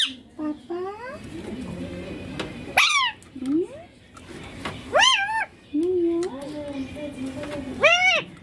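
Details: Baby Indian ringneck parakeet kept as a pet, talking in clear Hindi-style words such as papa and mummy; several loud harmonic calls with sharply arched, rising-then-falling pitch, separated by quieter gaps, recorded indoors.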